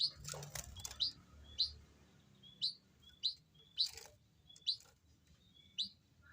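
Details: White-headed munia, described as restless and unable to settle, giving short high thin chirps that rise then drop sharply, repeated about every half second to second, nine or so in a row, over faint background rumble.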